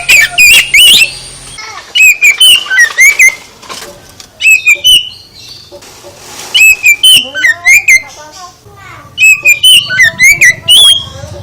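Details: Oriental magpie-robin singing to provoke other birds into replying: a varied stream of loud whistled and twittering notes in several phrases, separated by short pauses, over a soft low background.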